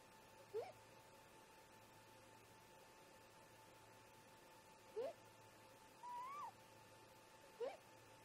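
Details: Great grey owls, a breeding pair, call back and forth at their snag nest around 04:25 MDT, 14 July 2017, on a nest camera: three short rising whoops spaced seconds apart and one thin upward-bending whistle, quiet against background hum.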